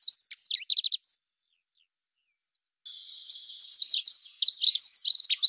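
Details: A short burst of fast, high Dunnock twittering, then silence, followed by a longer, denser run of squeaky warbled notes over a thin, steady high tone.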